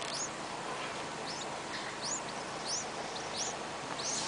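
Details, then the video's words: Hungry yellow-vented bulbul chicks with mouths wide open give thin, high, arching squeaks, about one every half-second to second, over a steady background hiss. "Hungry baby birds"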